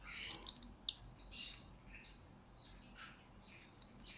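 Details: Lure-bird blue-crowned hanging parrot recorded as training material for future lure birds: a loud shrill chirp, then a sustained thin high trill of rapid pulses lasting nearly two seconds, a pause, and a fresh burst.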